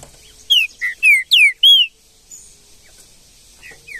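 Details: Green-winged saltator heard in the wild, giving a loud, full-voiced phrase of five piercing whistles, mostly sweeping downward, then quiet with faint notes of another bird near the end.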